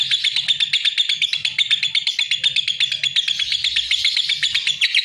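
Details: Lovebird song: a fast, continuous stream of high, scratchy chirps and twitters, about two or three notes a second, unbroken across the clip, with a faint low hum underneath.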